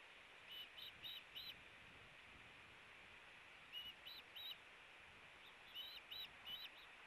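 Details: Ospreys in a tug-of-war over a fish at the Hellgate nest, 4 August 2018: three short bursts of high whistled chirps, three to four notes each, separated by pauses, against constant hiss.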